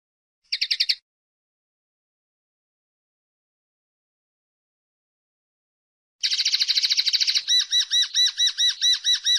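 Common linnet song: a short twittering burst, a pause, then a fast buzzy trill giving way to a rhythmic run of high, looping notes.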